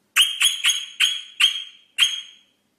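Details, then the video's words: Rosella giving six sharp, ringing whistled notes, each with a quick attack and a short fading tail, spaced about half a second apart. "SONG ROSELLA تغريد طائر الروزيلا الجميل"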